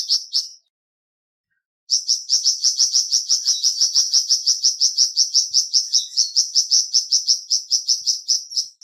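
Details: Short burst, a pause, then a long unbroken stream of fast, high, piercing chirps from a flamboyan bird, used as singing therapy for kept birds.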